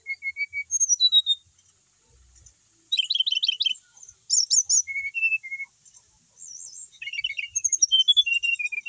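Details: Kept brown-chested jungle flycatcher, a settled bird that keeps singing whatever is done to it, delivering high clear whistled notes, then bursts of rapid buzzy trills and descending whistled phrases, with short pauses between bursts.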